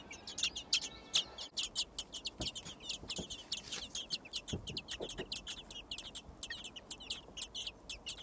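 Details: Begging thrush chicks, six in a nest found in a garden, give quick, sharp high-pitched squeaks in an unbroken, uneven stream as parents arrive with food.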